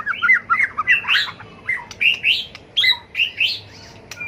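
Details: Fighting song of a tail-flicking White-rumped shama used in song training: rapid run of rich, warbled whistles and harsher squawky notes, mostly mid-high pitched, delivered in steady bursts about twice a second.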